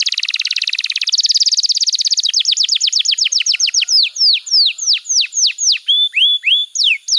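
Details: Canary master song for training young canaries: a fast buzzy trill opens, then a rapid series of descending whistled swoops that slows into longer, clearer down-slurred notes, several per second.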